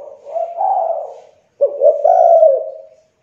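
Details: Spotted dove, young, used as a calling lure; a soft rising-falling coo, a short pause, then a sharp clipped note and a long hoarse coo.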